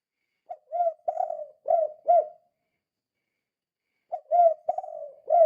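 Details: Spotted dove in full voice, a kuk 2 style call used as a lure to stir other doves into calling: low mellow cooing phrases of four or five notes, a pause of about two seconds, then the phrase starts again.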